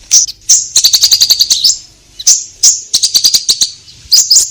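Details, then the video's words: Orange-headed thrush singing in a way meant to set off caged birds: high whistled phrases run into fast rattling trills of rapid repeated notes, followed by short pauses. "Pancingan Konin Gacor Langsung Nyaut"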